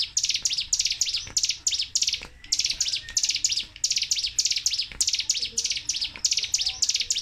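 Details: Sunda warbler, known locally as cigun or ciblek gunung, delivering a nonstop 'tembakan' song used to stimulate and tutor caged birds: rapid, high, sharp chirping bursts packed in short phrases, roughly three or four per second, barely pausing.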